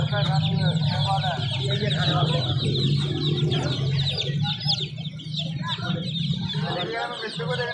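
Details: Chicken chicks in a busy chorus of high cheeping and chirping, overlapping in irregular bursts, over a constant low droning hum.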